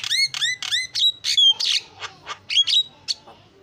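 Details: Javan myna opening with three identical rising-falling whistled notes, then harsher buzzy squawks and clipped whistles that fade into softer, spaced calls, an isian-style song.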